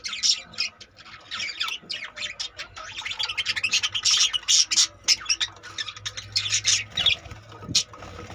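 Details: A budgerigar colony with 25 newly born babies, dense overlapping chirps and squawks from many birds at once, high-pitched warbling chatter with bursts of sharp notes throughout.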